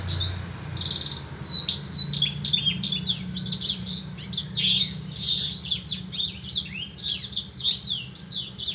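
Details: Horsfield's bush lark singing a busy, varied string of sharp chirps, buzzy notes and falling whistles, delivered fast and continuously above a faint low drone.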